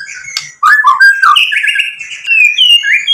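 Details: White-rumped shama song played to provoke other shamas into answering: rich whistled phrases, slurred and warbling, stepping up in pitch, with a few sharp clicks at the start.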